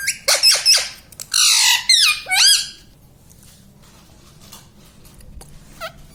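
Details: Pet parrot, filmed for its "mummy papa" talking, gives a quick run of harsh, bright squawks and a longer buzzy screech in the first three seconds, then near silence with one faint chirp at the end.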